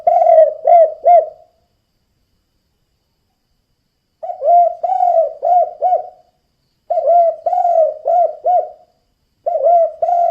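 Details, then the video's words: Spotted dove calling in the energetic 'kuk 2' style to lure other doves. Low, mellow coo phrases of four or five notes, one drawn out, repeat about every two and a half seconds with clean silence between them. "Suara Burung Tekukur Kuk 2 Gacor"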